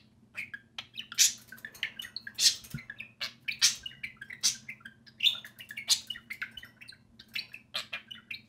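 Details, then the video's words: Two pet budgerigars kept indoors, playing and talking during time outside their cage, give a dense run of high, buzzy chirps and warbles with sharp clicky notes, bursts coming about every second, over a faint low hum. "Two social parakeets (budgerigars) play and speak"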